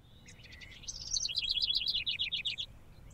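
A House Wren sings a rapid, bubbling song: a few buzzy opening notes, then a fast tumbling chatter of high repeated trills over soft background noise.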